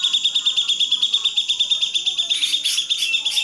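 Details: Grey-cheeked bulbul in a clear master recording for teaching songbirds, giving a steady rapid trill of high buzzy pulses that breaks into a few louder, rougher notes near the end.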